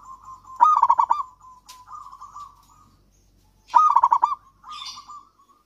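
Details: Local zebra dove singing steadily, used to coax silent doves: two phrases, each a rapid run of rich bubbling coos followed by a softer drawn-out trill, with a brief clatter between.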